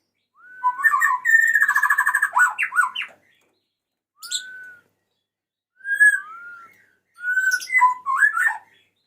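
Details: White-rumped shama male calling to a female, opening with a whistle into a fast rattling trill of repeated notes, then isolated pure whistles and a closing cluster of varied chirps.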